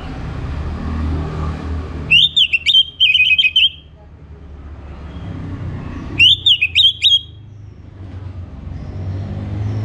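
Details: Orange-headed thrush from North Bali singing in the morning: two short bursts of quick, varied whistled notes with sharp upward flicks, separated by a few seconds of low rumbling background.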